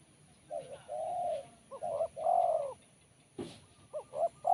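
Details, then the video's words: Sharp, crisp kuk 1 song of a spotted dove: a mellow opening coo, paired short notes, then a longer ringing coo, with another phrase starting near the end. "Poin BL Kuk 1 Suara Mersik Tajam"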